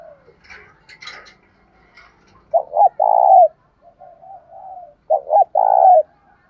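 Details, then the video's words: Spotted dove in bài bản bổi song, played to prompt captive doves to coo. Scattered high chirps open the recording. Two strong phrases follow about two and a half seconds apart, each a double short note and then a held coo, with low murmurs between. "cu gáy bài bản bổi nghe khó đỡ nhất hiện nay, khó mấy cũng phải gáy theo"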